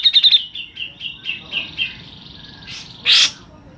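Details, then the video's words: Grey-cheeked bulbul long rolling song used as a lure: a quick burst of high notes, then a run of clear whistles about four per second, ending with a harsh, noisy burst. "TEMBAKAN JENGGOT LOKAL NGEROL PANJANG"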